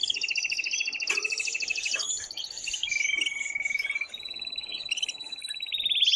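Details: Male canary in loud excited song meant to stir the female toward mating: dense layered high trills, then a clear drawn-out whistled note sliding slightly, followed by quick rolling phrases.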